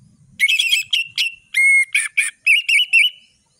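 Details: Full-variation ngeplong song of an Orange-headed thrush: rapid sharp whistled notes, a drawn-out steady whistle in the middle, then a string of short warbling whistles that fade out. Background is quiet.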